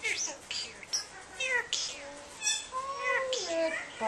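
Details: Hand-raised pet myna, talking since shortly after its eyes opened, copying its trainer in a smaller voice: squeaky, speech-like phrases with sliding tones and sharp whistled notes, indoors.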